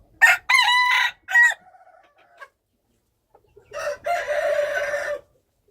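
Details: Two wild chicken crows with a silent gap between them. The first is clipped and broken into loud choppy bursts with a fading tail. The second is a smoother, sustained crow of over a second.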